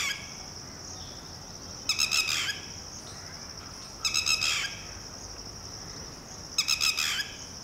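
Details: A red-wattled lapwing parent, calling to its newly hatched chick which runs and hides on its orders, gives three bursts of shrill, rapid, rattling notes about two seconds apart over a steady high insect drone.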